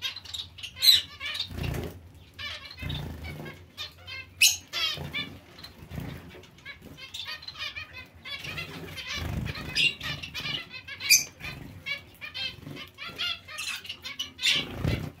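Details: Colony of zebra finches sharing space with other finches, many short nasal call notes scattered irregularly through the recording, some louder peeps standing out, with frequent wing flapping and rustling.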